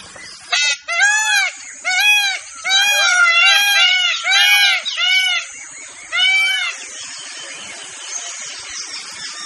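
An Indian peafowl gives loud, nasal, wailing cries in a rapid series of about eight short notes over six seconds, over a steady high background hiss.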